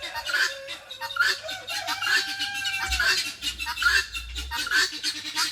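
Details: At a farm animal sanctuary beside a creek on a mild day, a female helmeted guineafowl calls and a distant male answers with harsh, grating notes about once a second, over soft music and a tonal hum.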